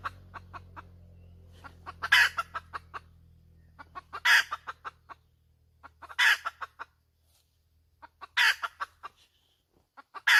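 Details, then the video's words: Hen calling steadily: staccato clucks climbing into loud, raspy squawks about every two seconds, five in all, with a low hum in the first part that fades out. "Suab poj qaib tsauj dib tuaj zoo heev"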